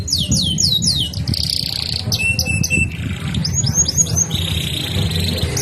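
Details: Canary in nonstop rolling song: quick descending trill notes, sustained high buzzy trills and choppy repeated phrases following closely, with steady low rumbling noise underneath.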